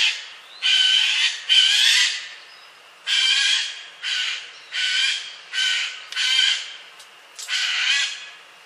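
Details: Eurasian jay giving its classic harsh, rasping forest alarm screeches that alert all nearby birds, about seven in a row at irregular intervals of roughly a second, loud and broadband.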